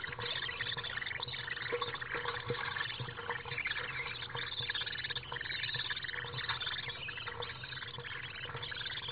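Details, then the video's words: Chaotic feeding of two young common swifts inside a nest box fixed to a house, July 15, 2015: continuous high, rasping chatter and twitters with quick rising streaks, over scraping sounds and a constant low hum. "Chaotische voederbeurt Gierzwaluwen nestkast 9"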